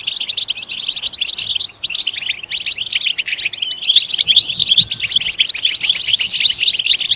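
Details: European goldfinch song used to stimulate singing: dense, continuous twittering of rapid buzzy and tinkling notes, growing louder and fuller in the second half.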